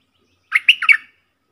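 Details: Decoy bulbul, one of four such birds recorded in real forest, 31 July 2021, giving a single fast, liquid, three-part bubbling phrase of rising and falling notes in otherwise quiet surroundings.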